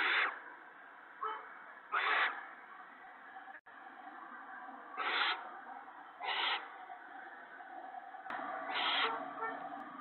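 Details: Owl nest on the evening of 19 March 2017, as mice and a rabbit are brought in for the mate and owlets; harsh broadband hissing bursts at irregular gaps of one to two seconds, with a faint steady hiss beneath.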